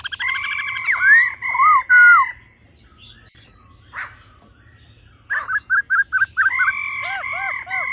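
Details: Male and female laughingthrushes, the song in a wild-forest voice meant to rouse a male fast: rich slurred tones, a quiet gap, then a rapid run of short notes ending in arched, dipping whistles.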